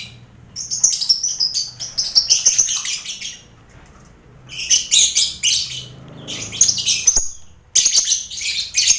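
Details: Lovebirds chattering in a crowded colony cage also housing finches and quail, used to train contest birds; shrill, rasping bursts with a quieter stretch midway where faint twitters and low rustling are heard.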